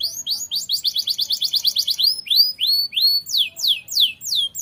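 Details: Lively canary tutor song: a quick rolling trill of repeated notes, then slower looping whistles and sharp descending sweeps.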